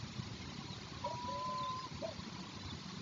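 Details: A long-legged buzzard at its nest with young at evening feeding, Israel, 2 April 2023, gives one drawn-out, thin whistled mew lasting almost a second, then a brief clipped note, over steady low wind rumble.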